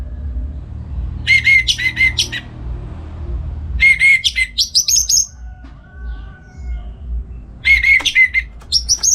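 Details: Orange-headed thrush in northern Bali in morning song used to train other birds: three bursts of repeated whistled notes mixed with buzzy higher trills, quiet gaps between, low hum underneath.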